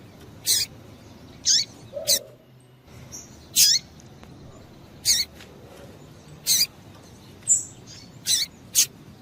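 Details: A female double-collared seedeater gives about nine short, piercing chirps that slide sharply downward, repeated roughly every second in an uneven rhythm, with a soft low thump in the background.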